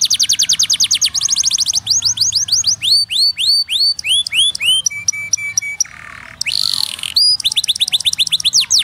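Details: Canary song: fast rich series of repeated high notes, clean rising and falling whistled sweeps, rapid trills and buzzy chirps changing phrase every second or so, loud and continuous.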